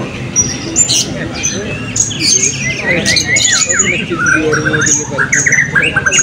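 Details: Caged blue-crowned hanging parrots competing in class B at the 2024 Balingian open songbird voice and style contest, uttering sharp squawky chirps and slurred high whistles, many notes overlapping, with low murmur of people behind.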